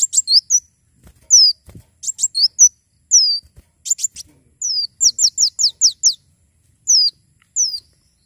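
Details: Javan sunbird singing busily: high, piercing chirps and a fast run of five falling whistled notes near the middle, separated by short silences, a few soft clicks audible.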